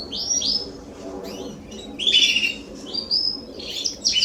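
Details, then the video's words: Canaries singing in a garden in September 2020; scattered high sweeping whistles and short chattering phrases come in bursts over a soft low background hum. "Canaries singing in my garden"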